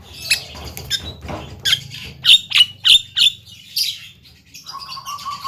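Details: Young Javan myna delivering a melodious full isian song of crisp, high clipped notes repeated in quick succession, then a lower steady tone near the end; background fairly quiet.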